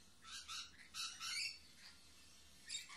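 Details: A mating pair of lorikeets sharing grapes on top of a computer monitor give harsh, scratchy chattering screeches in several short bursts, broad and high-pitched, with quiet pauses between.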